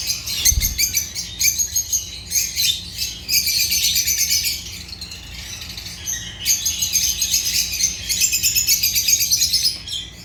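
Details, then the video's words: Busy chatter from a group of Agapornis lovebirds: shrill rapid chirps and scratchy trills in long runs, a brief lull near the middle, and a soft low thump at the start. "Agapornis lovebirds chirping sounds"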